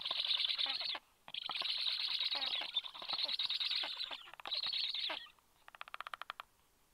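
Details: Black stork chicks begging at the nest as a parent brings the day's eighth feeding, 30 July at 19:54; harsh, hissing, rasping bursts in four runs split by brief pauses, then a quick dry pulsed rattle.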